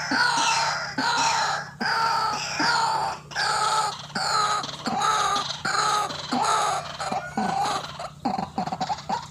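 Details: Lure recording of a white-breasted waterhen for bird trapping: strong, hoarse, downslurred croaks repeated roughly every three-quarters of a second, ending in a few quick clipped notes.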